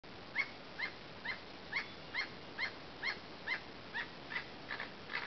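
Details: Emerald toucanet singing: a steady series of short, hoarse croaking notes repeated about twice per second, each note brief and rasping, over a constant background hiss.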